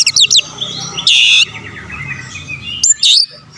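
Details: Oriental magpie-robin singing vigorously as a lure to rouse rival birds. Opens with rapid high chirps and a harsh burst, then a quieter stretch of soft warbling over low hum, ending with another sharp, loud high outburst.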